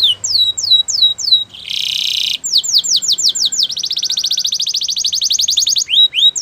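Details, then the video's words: Canary delivering varied song: descending whistled sweeps, a harsh buzzy burst, quick sweeps, then a long, rapid rattling trill before more falling whistles. "Canary's most powerful song for training | Canary sounds"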